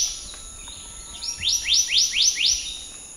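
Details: Black-naped monarch delivering a series of five clear upslurred whistles, evenly spaced and quickly repeated, preceded by soft faint notes. A steady high background hum is also heard.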